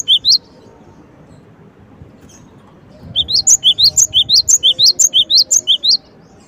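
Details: Gelatik batu, the cinereous tit, opens with a brief high note, then after a pause delivers a fast run of sharp paired chips, a low note then a higher rising one, repeated about three times a second.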